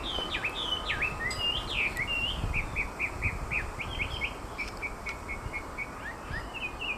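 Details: Chinese hwamei (Garrulax canorus), song.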